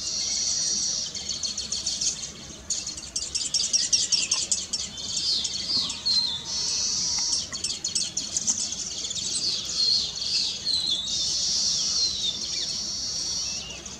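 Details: Weavers singing on their just-completed nests chatter in a dense, continuous mass of high buzzy, sizzling notes and rapid twittering, several birds overlapping without pause.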